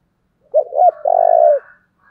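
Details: Spotted dove used as a lure for wild birds, cooing once: two brief rolling notes lead into a sustained, buzzy, purring coo of about half a second, with no other sounds.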